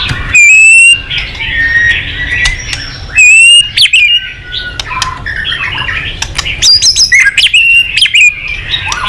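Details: Wild-type white-rumped shama (murai batu), a songbird much sought by Indonesian songbird keepers, singing loud, varied whistles and rapid trills, with sharp clipped bursts and sweeping notes between short pauses.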